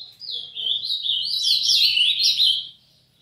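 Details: A brown-plumaged young Ultramarine Grosbeak in early song pours out a continuous, loud, three-second warble of high slurred notes, rising and dipping, clear against a quiet background.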